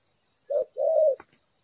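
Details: Spotted dove call used as a lure for trapping: a short low coo followed by a longer, steady hooting note, with a faint click afterwards and a constant high electronic whine throughout.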